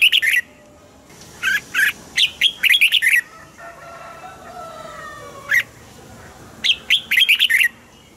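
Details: Red-whiskered bulbul song used to make caged birds lively: repeated loud warbling phrases of quick, bright notes rising and falling, with a lone sharp note midway and a faint low hum between bursts.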